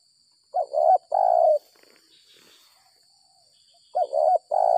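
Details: Spotted dove caught by bird-trappers after rain, a bird with the stuttering six-note 'gagap 6 mata' coo style. Low, mellow coo phrases with broken, stammering starts, two bursts near the beginning and two more near the end, with a steady high electronic tone behind.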